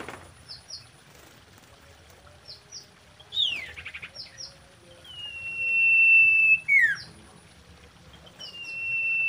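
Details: Common iora song, a lure for attracting and arousing birds for breeding: long, level, clear whistles held for seconds, sharp downslurred notes, and scattered short high chips between quiet gaps.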